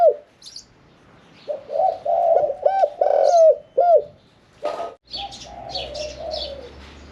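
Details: Spotted dove in a cage, middle-voiced 'khan yon 1 kuk' style; a phrase of coos with looping arched notes, then a burst of noise and a steady low hum under a final soft coo and other birds' chirps.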